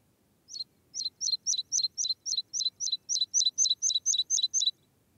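A meadow pipit sings a run of about sixteen thin, high, sharply down-slurred notes, delivered briskly at roughly four per second over a quiet background.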